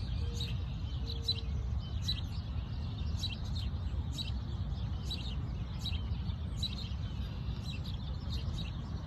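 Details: American robin in Walter Saunders Park, Toronto, Canada, April 2022, giving short, high chirping notes in quick irregular bursts every half second or so, over a steady low rumble of wind or distant noise.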